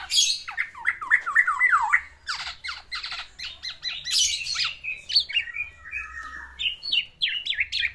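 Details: Courting caged black-naped oriole, singing for a female: a quick series of looping whistled notes, harsh buzzy bursts, then varied high slurs and a run of short rising-falling whistles.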